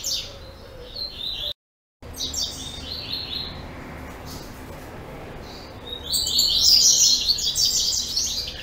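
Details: Captive double-collared seedeater in a breeding facility, dated 10/04/2014, gives high rapid chirping phrases, a short burst at the start, another after a brief gap, then a loud dense warbled trill near the end.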